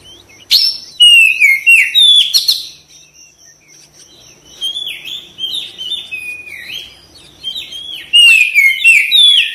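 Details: Oriental magpie-robin in active therapy song meant to spur fast response and tail display. Dense bursts of sharp, swooping whistles come in three loud bouts separated by quieter stretches with a faint steady tone.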